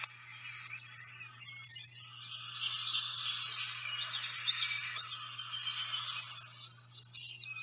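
Blue-winged Warbler type 2 song: a rapid, high buzzy stutter of notes ending in a flat sustained buzz, then a jumble of thin twittering before the pattern repeats.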